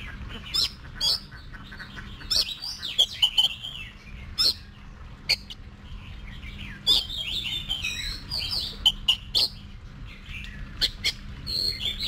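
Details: Oriental magpie-robin practising for singing competitions, producing scattered phrases of bright whistled and slurred notes with sharp clicks, separated by short gaps, over a continuous faint low hum.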